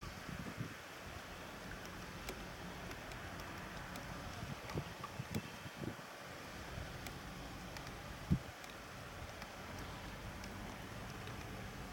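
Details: Steady broadband rumble of wind or water with a few faint clicks and knocks, and no clear animal voice.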